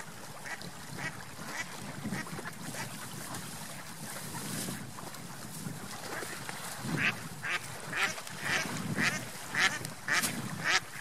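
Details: Ducks swimming and flying on a lake; one gives short, harsh quacks, about two per second, over a steady rush of water and wind.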